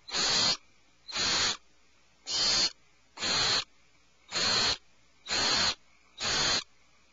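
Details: Alarmed owlets call from their nest cavity with seven harsh, noisy screeches at a fairly steady pace of about one per second.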